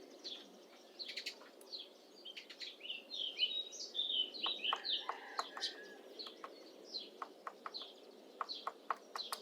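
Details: Syrian woodpecker (female) carving a nest hole in an old apple tree in mid April; sharp dry taps, irregular then in quick runs, over busy chirping and twittering of other small birds.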